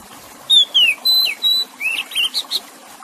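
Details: Oriental magpie-robin, called kacer, whistling a quick sequence of pure notes, falling slurs and level tones, then a burst of short rising chirps, about three phrases a second, with soft running water beneath; meant to get silent birds singing.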